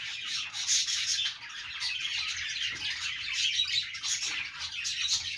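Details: Budgerigar chatter: a dense wash of rapid, high, grating chirps from many birds, almost without a break.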